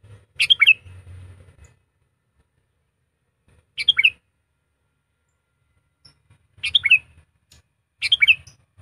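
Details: Trained decoy sooty-headed bulbul gives four brief, bright, gurgling phrases spaced irregularly, a few seconds apart, with a low murmuring hum early on.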